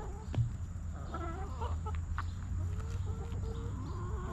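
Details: Backyard hens in a coop; mid-pitched, drawn-out clucks and a rising-falling murmuring call, with a steady low hum beneath.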